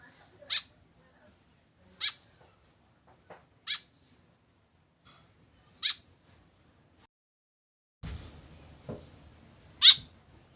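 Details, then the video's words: A tame white-breasted woodswallow, alone without a companion, repeats short, piercing, harsh notes roughly every 1.5 to 2 seconds, six in all, with a brief burst of handling noise near the end. "KESEDIHAN BURUNG KEKEP BABI TANPA TEMAN"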